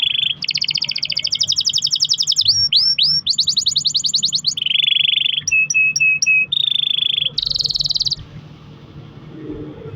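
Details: Canary singing long rolls to set other canaries singing: fast trills, quick downward sweeps, a low steady roll, staccato repeated notes and a high buzzy trill, then quiet with faint low hum.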